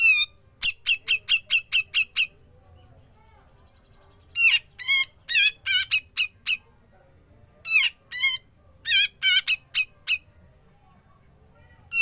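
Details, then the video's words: Grey-cheeked bulbul in besetan style turning to ngepik, kept as a master recording for training songbirds. Bursts of loud, scratchy downslurred notes come in runs of four to seven, separated by pauses of one to two seconds. "Besetan Cucak Jenggot Lanjut Ngepik"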